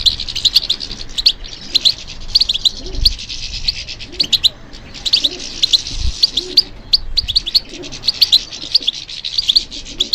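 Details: A European goldfinch sings in response to stimulation, giving a steady, busy stream of high, clipped chirps and trills for ten seconds, with soft low background noise.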